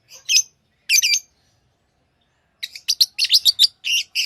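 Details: Pet lovebirds, tame and hand-fed, chirping: bursts of harsh, high chirps with a pause, then a rapid run of sharp repeated chirps in quick succession.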